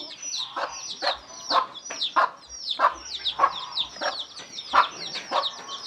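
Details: Mother hen clucking to call her chicks over to food, clear low clucks roughly every half second, accompanied by continuous shrill, downward-sliding peeps from a group of chicks.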